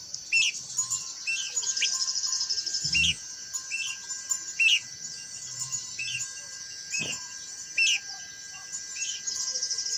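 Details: Blue-winged minla giving quick, sharp upward-flicking chirps at irregular one-second intervals, set against a continuous high buzzing insect chorus, with a few faint low knocks.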